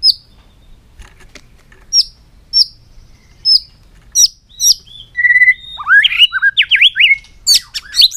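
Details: Caged White-rumped shama in stimulating long-string song, tail beating on the perch: a series of sharp, high, falling whip notes spaced about a second apart, then a fast tumbling burst of varied slurred notes.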